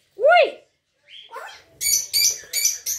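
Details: Grey parrot kept at home, vocalising near its owner: one loud arched whistled note, a pause, a brief higher squeak, then a run of four short harsh squawks at a steady pace.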